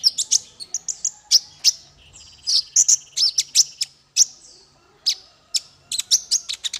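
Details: Training song for small fighter birds: dense bursts of very high, sharp chirps and short twittering notes, with a brief buzzy trill in the middle and little background noise.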